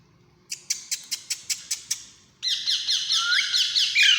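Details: Alexandrine parakeet chicks begging during hand feeding: a series of sharp, evenly spaced clicks about five a second. They then break into a continuous harsh, rasping, buzzy chatter that grows louder toward the end.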